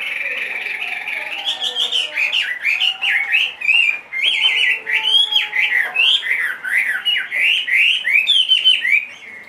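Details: Caged Chinese hwamei, two and a half years old and heavily built, singing in any setting. A continuous flowing run of strong, arched whistles repeats rapidly, with slight variations, for nearly ten seconds.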